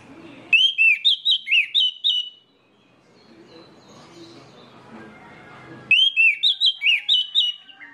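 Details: Orange-headed thrush singing a lure song to make other birds of its kind sing: two bursts of bright, high whistled phrases, each about two seconds of quick repeated slurred notes, separated by a long quiet gap with low background murmur.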